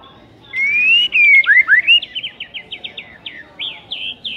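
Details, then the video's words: Murai batu, or white-rumped shama, in provoking material for a lazy bird: long rising whistles, then quick sharp notes repeated several times a second, each slurred and high-pitched. "PANCINGAN EMOSI MURAI BATU PEMALAS MATERI PEDES TEMBAKAN RAPET"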